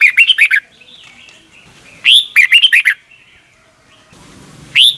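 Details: Caged red-whiskered bulbul in Thailand giving the doubled song style used to train young birds each morning: short bright warbled phrases of five or six quick notes, heard three times about two seconds apart. A faint low rumble comes near the end.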